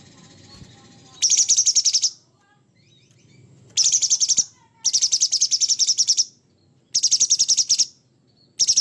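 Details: Sooty-headed bulbul in energetic gacor form, delivering harsh rough song: five rasping, rapidly pulsed bursts of about one second each, separated by brief pauses, with a few faint thin notes before the first burst.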